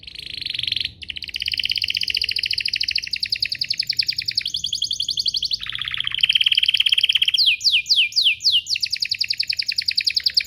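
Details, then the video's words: Extended canary song meant to get other canaries to answer, built of long rapid pulsing trills at steady pitch, a lower rolling section and a burst of quick descending sweeps. "Pancingan Burung Kenari agar CEPAT BUNYI, terbukti ampuh bikin burung kenari lain nyaut"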